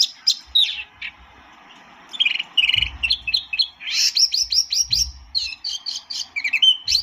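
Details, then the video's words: A white-eye, called tieu mi or wambi mini, sings scattered high chirps that build into dense runs of sharp repeated notes and slurred squeaks, with faint low knocks in the background. "kicau burung tieu mi atau wambi mini"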